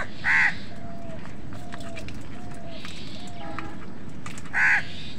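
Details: A crow caws harshly at the start and again about four seconds later, with faint thin whistles between, as crows and wild birds compete for food.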